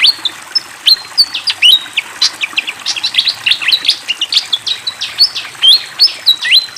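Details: Fantail singing vigorously, with flowing water in the background: fast run of sharp chirps and short slurred whistles, some notes rising and others dropping, packed tightly over nearly seven seconds.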